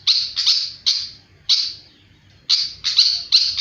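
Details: Very actively singing flycatcher, giving loud, buzzy, harsh chirps in quick pairs and triplets, broken by a clear one-second pause midway.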